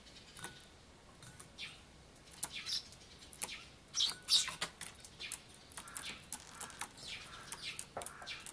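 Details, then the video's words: Two or more young sparrows quarrel on 16 June 2011: quick, uneven series of high, thin chirps, with louder squeaky notes midway and soft fluttering between calls. "子雀同士のケンカ A fight between young sparrows"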